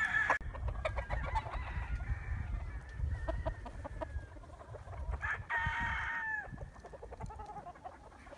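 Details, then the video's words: Roosters crowing among chickens: long drawn-out harmonic crows at the start, through the second and third seconds and again near six seconds, over steady low rumbling background noise and scattered clucks. "Wake up to the sound of chickens and roosters crowing"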